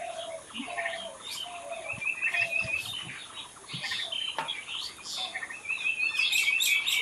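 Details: Many wild birds singing together in a natural setting: busy overlapping chirps and high trills, a rapid buzzy trill near the top, repeated short notes, and soft low whistles underneath.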